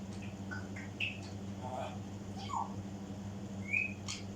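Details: African grey parrot mimicking: a run of short varied whistles, some rising, some falling, and soft clicks scattered over four seconds, ending in a clear upward-sliding whistle, over a steady low indoor hum.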